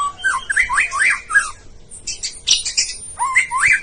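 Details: White-rumped shama, bahorok type, a contest bird that reached a presidential cup; fast looping whistled phrases rising and falling, broken by a burst of high harsh chattering notes, then more slurred rising whistles.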